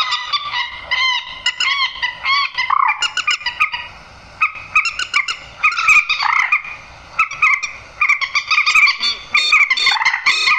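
Grey-headed swamphen giving loud, nasal honking and cackling calls in rapid, overlapping bursts with short pauses, harsh and ringing throughout.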